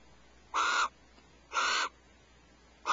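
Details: Barn owl at Starr Ranch before dawn on 1 January 2012, during a shared vole meal: two loud, rasping, hissy screeches about a second apart against a quiet background.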